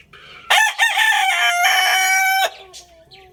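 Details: Young rooster giving one loud crow of about two seconds: a harsh, stuttering start breaking into a long, sustained, strained note that cuts off abruptly, followed by faint quieter calls.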